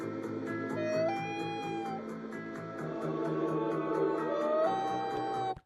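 A loon gives two long, mournful wailing notes, each stepping up in pitch and then holding, over steady background music with a regular beat.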